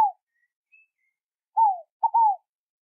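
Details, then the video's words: Scaled dove giving one soft cooed phrase: a falling hoot, then a brief clipped note leading into a longer down-slurred coo, after the tail of a previous note; otherwise quiet. "O MARAVILHOSO CANTO DA ROLINHA FOGO PAGOU"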